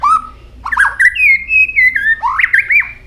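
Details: White-rumped shama singing many varied notes while flicking its tail continuously: loud clear whistles, a long wavering sustained whistle in the middle, then quick slurred notes at the end.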